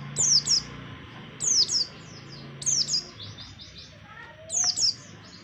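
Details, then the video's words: Lure song of an Oriental white-eye for trapping birds: short high sweeping twitter bursts, each a pair of quick descending notes, repeated roughly every second and a half over a faint low background hum. "Suara pemikat burung Pleci"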